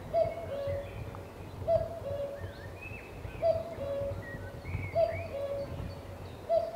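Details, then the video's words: A common cuckoo on Cannock Chase repeats its falling two-note 'cuck-oo' about every second and a half, with faint songbirds twittering behind. "Cuckoo Calling"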